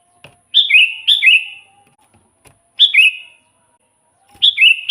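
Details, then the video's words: Sooty-headed bulbul song for pulling in wild kutilang; cheerful doubled chirps with a downward step, repeated in three bursts across a few seconds, background otherwise calm. "suara burung kutilang gacor full buat pancingan kutilang pikat"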